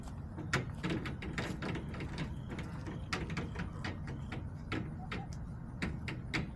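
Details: In a backyard, irregular clattering and clicking like handling or mechanical movement runs over a low hum, with no clear animal sounds.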